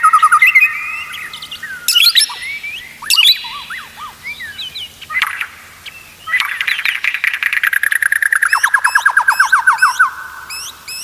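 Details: White-rumped shama song used as a training track to make other shamas sing often and steadily: loud varied whistled phrases and rapid trills, then a long rising-and-falling run of repeated clear notes sweeping upward near the end.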